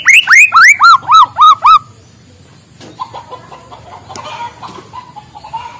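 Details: White-rumped shama singing in the morning to stimulate lazy birds: six rapid, loud, arched whistles in a row, followed by a quiet stretch with faint distant chirps.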